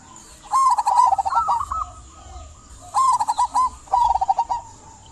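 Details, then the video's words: Local zebra dove giving rolling trilled coos to stir silent doves into song: one long bubbling phrase, a pause, then two shorter quick phrases. "Perkutut lokal gacor buat pancingan perkutut pendiam agar bunyi"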